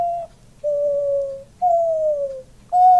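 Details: Pet male diamond dove, which puffs itself up whenever it coos, giving long, soft, level-to-falling coos of roughly a second each, with short pauses between them, indoors with its owner and nothing else audible.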